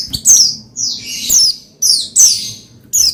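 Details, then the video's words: Oriental white-eye twittering to set another white-eye singing: loud, dense high chirps and drawn-out downslurred phrases run almost continuously, with short breaks, ending on a final sharp chirp. "Menaikan Emosi Burung Pleci Bahan Agar Pleci Gacor Cepat Bunyi Rajin Gacor"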